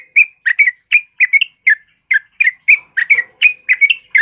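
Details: White-crowned forktail, a lively 'gacor' singer used as a master recording for training birds: short sharp chirped notes near one pitch, repeated roughly every third of a second in a steady chattering run, with a faint low hum partway through.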